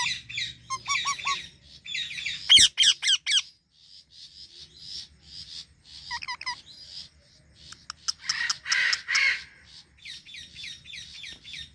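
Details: Indian ringneck parakeet among Alexandrine parrots: quick chirp trills, then a cluster of loud grating screeches, followed by scattered chattering and rhythmic chirps, all high-pitched.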